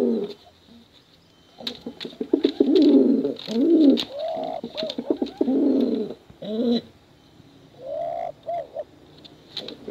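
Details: Male and female contest pigeons begin after a quiet start, with bouts of low rolling, burbling coos and a few short hooked notes, then softer cooing near the end.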